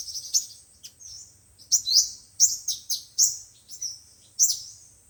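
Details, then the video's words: Sunbird lure song, five- and seven-coloured types, played by speaker to trap birds: separate sharp, high upswept notes every half second or so, each with a brief thin trailing whistle. "Tiếng chim hút mật 5 màu và 7 màu dùng để bẩy loa"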